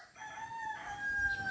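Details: A rooster crows outdoors on a windy day after afternoon rain, while doves call nearby: one drawn-out, strained, harmonically rich call that holds a steady pitch before rising slightly near the end, with light wind behind.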